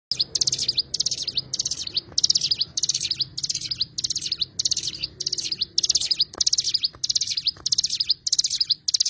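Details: Cigun (Oriental white-eye) delivering short, high, rapid twittering bursts, each under half a second, repeated about every 0.6 seconds in a steady series, with a faint low hum underneath.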